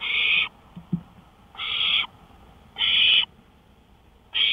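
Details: Owl recorded from a porch at 1:53 AM, May 5, 2013, giving four raspy, breathy screeches about 1.2 seconds apart, with a faint soft knock between the first two.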